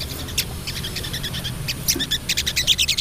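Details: Female crested jay calling the male, in the chattering style known locally as ngriwik: a rapid, dry series of short clicking chirps. The notes come in irregular bursts and grow louder and tighter toward the end, over a low background hum.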